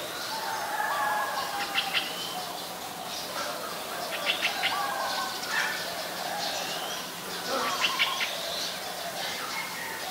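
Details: Streak-eared bulbul, a very common resident, recorded in Ubon Ratchathani, Thailand, on 29 February 2020. Bursts of short, bright chirping notes and brief warbled phrases come in irregular clusters over ten seconds. Other faint bird notes sound in the background.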